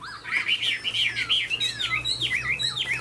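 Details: Chinese hwamei, tame and caged, fanning its tail in an eagle-wing display; fluid warbling song of bent, wavering whistles running together, ending in a few clear swooping notes.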